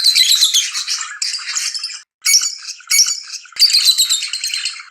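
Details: Lovebirds chirping excitedly for mating: dense, harsh, rapid squeaky chatter in continuous bursts, broken by brief silences around the two-second and three-and-a-half-second marks before resuming just as intensely.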